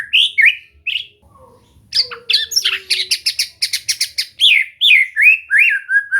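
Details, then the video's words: White-rumped shama singing, as training material to coax a bird into steady song: sweet whistles open, then a burst of rapid, rattling, broadband notes, ending in slurred downward whistles. "Latihan santai untuk murai batu AGAR MAU BUNYI dan GACOR"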